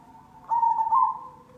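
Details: Zebra dove (perkutut cemani) lure recording: one short, loud, mid-pitched trilled coo phrase rising slightly at its end, over a faint low background hum.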